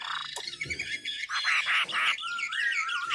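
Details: Chinese hwamei from Ha Giang, Vietnam, singing a dense jumble of rich whistles and harsher chattering notes, ending in a smooth wavering whistle, with a busy background.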